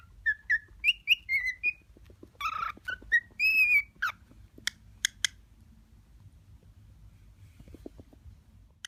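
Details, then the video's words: Male cockatiel, six months old and sexually mature, kept as a pet, singing to an uninterested female in courtship: a run of whistled notes and rising-falling warbles in the first four seconds, then scattered clicks and a near-silent end. "Cockatiel sings to another cockatiel: The Courtship of Duffy and Spangles"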